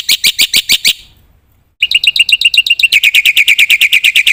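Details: Black-winged myna giving loud, harsh, rasping notes repeated rapidly, a short silence, then a long run of quick, strident, whistled notes with buzzy overtones, about three per second.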